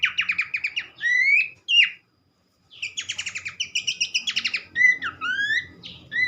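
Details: Singing Horsfield's babbler, used as a lure for other birds of its kind: quick rattling trills of short notes, rising whistled slurs, a brief pause, then more buzzy trills and upward-sliding whistles.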